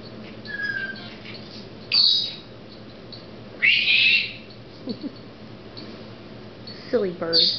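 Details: A female pet Senegal parrot shows off her newest word, "squeaky": a short whistle, then harsh squeaky bursts and word-like chatter every couple of seconds, while a person's voice is also heard.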